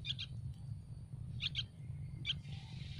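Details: Three short bursts of piercing, high chirps, each a quick double note, from hungry Yellow-vented bulbul nestlings begging for food in their nest on a tree; low steady hum behind.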